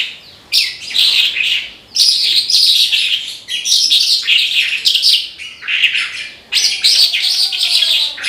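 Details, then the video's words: A Horsfield's bush lark, locally branjangan, singing nonstop 'gacor': a run of sharp, high, jumbled chirps and rattling trills in quick bursts with hardly any pause, one low faint sound near the end. "BRANJANGAN GACOR TIADA LAWAN"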